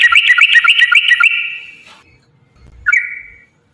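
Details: Trucukan lure song meant to provoke other bulbuls into answering: a quick run of bubbly whistled notes that fades out, then after a pause one short rising-falling whistle.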